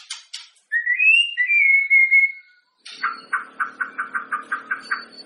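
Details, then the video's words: Contest-preparation shama song meant to provoke other shamas: a clear whistle slides upward and holds steady, then after a short break comes a rhythmic run of about ten repeated chopped notes. "suara burung muray cocok buat adu vokal burung muray teman2 Sebelum tanding"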